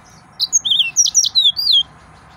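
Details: Brief phrase of about one and a half seconds from an excited male yellow-fronted canary, made of quick high sweeping whistles that slide downward one after another.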